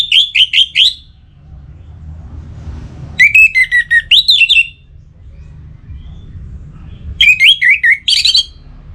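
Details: Orange-headed thrush in breeding condition from North Bali, singing to a rival: three bursts of rapid, looping warbled notes, each phrase about a second or more, varied in pitch and separated by quiet pauses with low hum.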